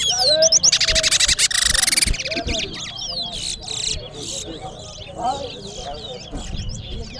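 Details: Large-billed seed-finch (Sporophila crassirostris), a towa towa bird in a song race at a bird ground on Sheriff Street, Guyana, sings rapid bursts of high, sweet whistles and trills while a man counts aloud and other birds chirp.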